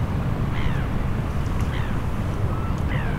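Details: Morning at Funabashi Sanbanse, Chiba, where a flock of Eurasian oystercatchers gathers on the shore; binaural recording catches three thin, downslurred piping calls against heavy low rumble of surf, ships and aircraft.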